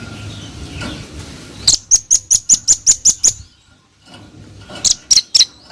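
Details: A brisk series of nine sharp, thin, high ticks from a singing velvet-fronted nuthatch, then silence and a short three-note burst; slight background murmur at the start.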